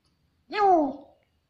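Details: Grey parrot, also called African grey, speaking: one drawn-out voice-like syllable with rich harmonics, gliding gently downward and fading over about half a second in a quiet room.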